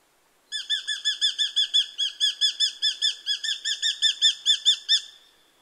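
A Eurasian hobby gives a fast run of about nineteen sharp, ringing kew notes, roughly four a second, for nearly five seconds, with no other sounds.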